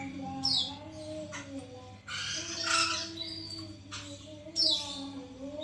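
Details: White-crested laughingthrush kept in captivity, recorded as a prompt to make other birds sing: raspy chattering bursts separated by brief pauses, plus sharp descending whistled notes, over a low droning hum.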